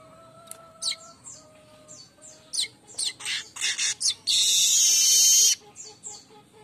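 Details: Morning song of a streaked weaver: quick dry chips and high slurred notes build into a run of loud rattling bursts, then a long, harsh, wheezing buzz of about a second. Steady low tonal whistles from another source sound underneath.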